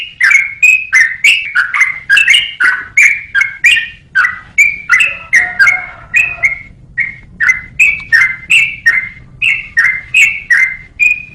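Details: Yellow-vented bulbul, recorded as training material for songbirds, singing a steady stream of liquid, slurred whistled notes about three per second, some doubled or chattered, with a short low warbling passage near the middle and a faint background hum.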